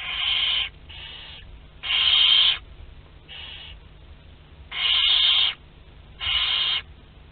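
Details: Nestling barn owls between two and twelve days old during a shared meal, Théding, France, 29 April 2021: loud breathy rasping hisses alternating with softer shorter ones, several overlapping, with a quiet low hum behind.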